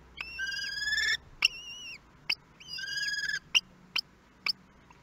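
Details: Common kestrels at a nest in Théding, France, on 23 May 2022, during the first feeding of newly hatched nestlings: two long, drawn-out, flat, harmonic whining calls, each about a second, alternating with shorter rising notes and sharp clicks.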